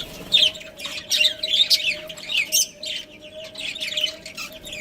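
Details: Budgerigar breeding pair chirping: busy, overlapping warbled chatter of short high twittering notes in quick succession, with a steady faint hum underneath.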